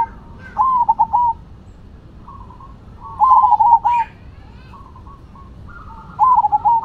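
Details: Singing zebra doves, Cemani and Silver types, face off; phrases about every three seconds, each a quavering coo broken into quick pulses, with a fainter second bird answering between them and a low steady hum behind.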